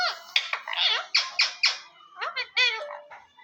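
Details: Pet parrot talking indoors in a small room, giving a quick run of about a dozen squeaky, speech-like syllables in two bursts, some clipped and some drawn out, over soft background music.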